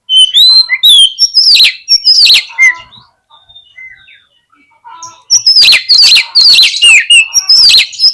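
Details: Oriental magpie-robin song played as a lure so that birds reluctant to open their tails turn aggressive: sweeping whistles and loud harsh trills, a soft lull with quiet notes, then a long, intense rush of chattering song.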